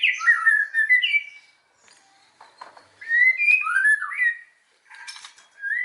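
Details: White-rumped shama song as a lure to provoke other shamas: loud whistled and slurred phrases in bursts, separated by quieter gaps with faint clicks, ending on a rising whistle.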